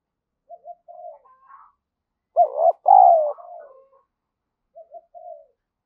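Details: Decoy spotted dove giving urging calls and coos to lure and stimulate other doves: soft short coos, then a loud two-part phrase of a rising hoot followed by a long falling coo, trailing softer notes, in near silence.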